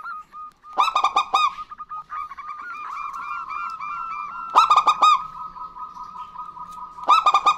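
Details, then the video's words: Male and female local zebra doves answering each other; three loud bursts of rapid cooing notes, with steady soft, overlapping arched notes filling the gaps between them. "Perkutut Lokal Gacor Betina Dan Jantan Bersahutan"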